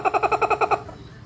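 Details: Kookaburra in Brisbane, Australia, close to a person talking to it, gives a quick burst of about eight harsh, chuckling notes in under a second, then falls quiet with faint background hiss.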